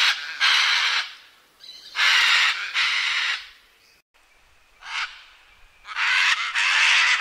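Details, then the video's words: Loud raucous screams of a scarlet macaw, harsh squawks in short bursts and pairs with quiet gaps, given as its flight call. "Scarlet Macaw Screaming | Scarlet Macaw Sound | Scarlet Macaw (Ara Macao) Video | Macaw Flight Call"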